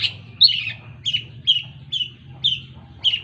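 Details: Long-tailed shrike repeating short, slurred chirping notes roughly once a second in a regular run of seven phrases, each dropping slightly in pitch, with a low constant hum behind.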